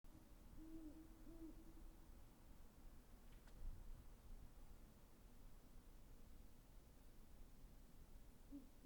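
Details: Great horned owl giving a few low, soft hoots early on, partly buried under steady low rumbling background noise.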